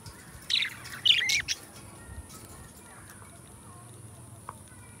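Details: Two pet budgerigars, described as best friends, singing and talking indoors; a few short bursts of bright, scratchy chirps and squeaky warbled notes, then quiet with a faint background hiss.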